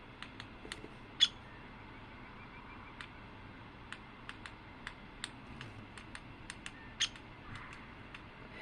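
A Downy Woodpecker pecking: light, dry taps at an irregular pace, a few every second, with two sharper knocks standing out over a soft background hiss.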